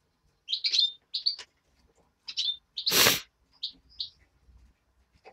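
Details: European greenfinch chick raised by hand, uttering clipped high chirps in small groups, interrupted midway by a brief loud rustling burst, then a few softer chirps.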